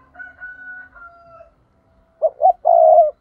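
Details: Spotted dove lure bird calling in the 'thúc' style for trapping wild doves. A long, flat whistled tone is heard first, then the dove's two short rolling coos and a longer buzzy coo.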